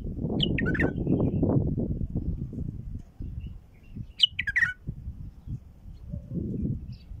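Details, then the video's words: Bulbul calls played to attract wild bulbuls: brief clusters of bright chirping notes, one early and one midway, each a quick run of clipped tweets, heard above a steady low rumbling background. "ندهات بلبل خام لفتح البلابل القافله"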